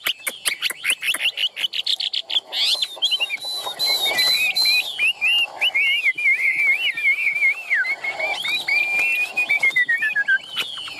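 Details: Chinese hwamei, a caged bird in Vietnam, starting with a burst of rapid sharp notes, then a long twisting whistled song that rises and falls over several seconds and ends in a slow downward slide.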